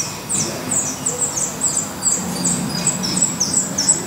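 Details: Black redstart at its nest in Portugal, recorded during the breeding season until the chicks fledge: thin, very high chirps repeated about twice or three times a second over a steady low hum and hiss.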